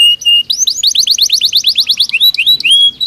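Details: Belgian canary singing naturally, meant to stimulate canaries in training; short flat whistles precede a lively series of rising slurred notes, followed by a few separate upward-sliding whistles.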